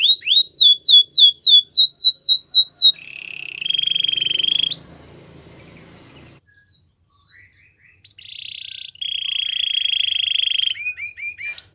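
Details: Canary training song: rapid rising whistled notes repeated about four per second, then a sustained buzzy trill, a near-silent pause, and more steady rolling trills ending in quick upslurred chirps.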